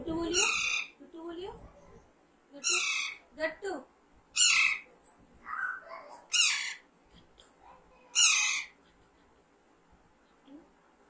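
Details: Young pet Alexandrine parakeet, raised from a baby, during talking training: loud harsh descending screeches repeated every one to two seconds, mixed with softer short calls and a person's voice between them.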